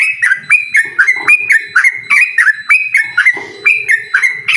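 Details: Yellow-vented bulbul challenging a rival to a rapid-song duel (ropel): loud, clean whistled notes that jump up then slide down, repeated rapidly about four per second against a quiet background.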